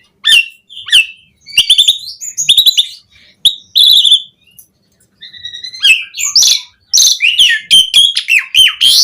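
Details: Jalak suren singing varied 'isian' phrases, used as tutor and prompt for starlings: scattered bursts of chattering whistles, clicks and harsh notes, with short silences between, growing denser and louder toward the end.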